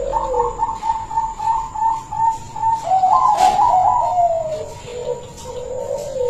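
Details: Rare silver local zebra dove in full song, voice described as big and melodious: a fast run of evenly repeated staccato coos, then a louder rolling phrase dropping into low mellow coos, with a constant thin high-pitched hum.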